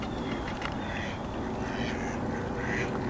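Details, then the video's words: A flock of over 20 ducks gathered at a backyard pond quacks at once: a dense, overlapping chorus of harsh, nasal calls with no pause, over a steady low background rumble. "If it walks like a duck, quacks like a duck, looks like a duck, it must be a duck"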